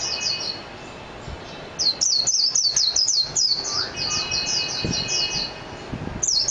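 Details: Japanese white-eye, or mejiro, singing a lively high twitter: quick descending notes in rapid phrases, a brief opening burst then a longer run, with quiet background.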